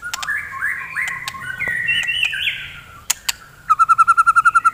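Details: White-rumped shama 'gacor' morning song for rousing fighter shamas: overlapping slurred whistles rise in steps, two sharp clicks, then a fast even trill of about twelve identical notes.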